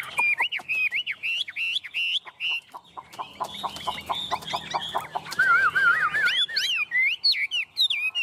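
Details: Tame, well-trained Chinese hwamei singing loudly while perched on the hand: rich, slurred whistled phrases rising and falling, broken midway by a rapid run of dry clicking notes, then fluty warbles again.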